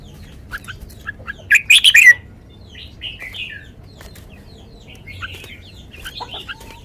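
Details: Red-whiskered bulbul giving a sweet 'lak wai' song: a brief cluster of loud, rapid notes early on, then softer warbled whistles scattered through a quiet background.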